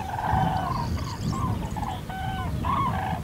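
Common cranes give loud, rolling trumpet calls, about seven bugled notes in three seconds, some overlapping, over a steady low rumble of wind.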